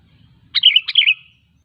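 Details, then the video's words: One lively phrase of a sooty-headed bulbul, two quick bubbly bursts of chirping notes, used to draw other bulbuls into song; a soft low murmur precedes it. "Suara Burung KUTILANG GACOR 100% ampuh untuk memancing Kutilang lain agar bunyi"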